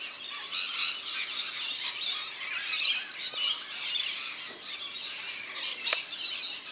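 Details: Rainbow lorikeets bathing in a backyard birdbath in NSW, Australia, give a continuous wash of shrill, raspy screeches and squawks, overlapping with no pauses, with a few sharp clicks near the end.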